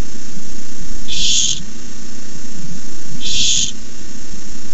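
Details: At a barn owl nest watched by camera, begging as a rat is brought in: two coarse hissing screeches roughly two seconds apart, with steady electrical hum beneath.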